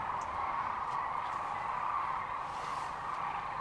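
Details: At Rowe Sanctuary near Kearney, Nebraska, on March 13, 2014, a large number of sandhill cranes call together, producing an even, unbroken hum of overlapping trumpeting notes.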